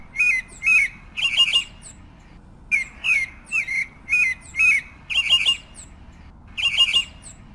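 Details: Pale-breasted thrush (Turdus leucomelas) song: short, slurred, somewhat harsh notes in quick groups of two or three, separated by brief pauses, over a faint low hum.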